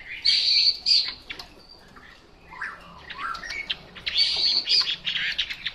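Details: Chinese hwamei giving loud, high, ringing whistled notes in short bursts, broken by sharp chips and lower slurred notes, then a second strong run of ringing phrases.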